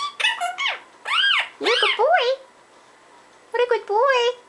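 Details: Parrot babbling gibberish with arched, voice-like squeaky syllables in two bursts separated by a second-long pause, pitch sweeping up and down.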